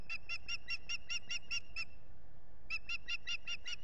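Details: Osprey begging for food on a camera-watched nest in the US Finger Lakes, 8 April 2022. Two bursts of rapid, high piping whistles, about ten then seven notes, are split by a brief pause, over steady wind.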